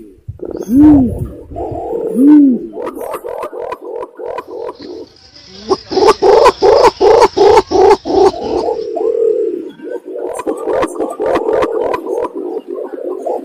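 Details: Imperial pigeon call used as a bird lure: two deep, arched low coos, then a fast series of repeated mid-pitched pulsing notes with clicking and a hiss behind them, then more rolling notes.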